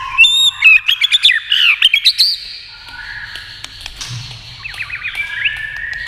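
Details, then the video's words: Caged white-rumped shama singing in competition against a television: a fast burst of varied whistles and rattling notes in the first two seconds, followed by softer lower warbles and trills. "kích chòe lửa hót đấu với tivi cực căng lửa"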